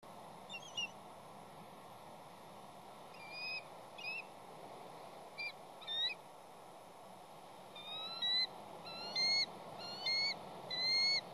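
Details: Wild Bald eagle calling at its West End nest on Catalina Island, with two chicks, while waiting for its mate to bring fish. Thin, high whistled notes come faster and louder toward the end over steady background hiss.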